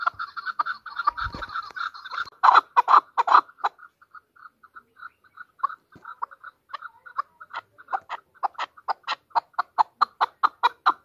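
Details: Chukar partridge, a hunter bird from Pakistan: a loud burst of harsh clucks, then a softer ticking series that slowly builds back into strong, evenly spaced chuck notes.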